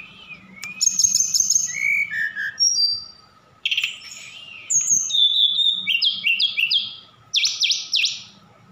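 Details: Song of a Javan bush lark sent from Sukabumi, Indonesia, packed with borrowed phrases such as cililin and sikatan londo: pure high whistles, then rapid repeated rising-falling trills near the end, over a faint constant hum.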